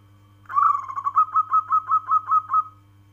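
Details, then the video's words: Local zebra dove calling, a soft cooing phrase of about ten rapid, evenly spaced notes around one pitch, starting with a longer note and trailing off; a steady low electrical hum underneath. "Suara panggilan perkutut lokal alam kristal"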